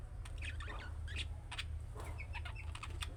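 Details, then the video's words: Budgerigars chattering in chick-style calls that draw answers from other budgies, a dense stream of short chirps, clicks and warbled squeaks overlapping without pause, low background hum throughout. "MUHABBET KUŞU SESİ Kuşunuz Bu sese Karşılık Verecek Kuş Sesi"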